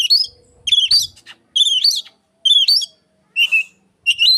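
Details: Mimicry of Asian pied starling by an Oriental magpie-robin, played as a lure; strong, clear whistled phrases that rise and dip, repeated about every second with silent gaps, a faint low rumble early on.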